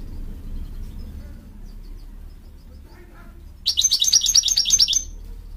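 A male American Goldfinch gives a quick burst of about ten bright, slurred twittering notes lasting just over a second, following a low background rumble.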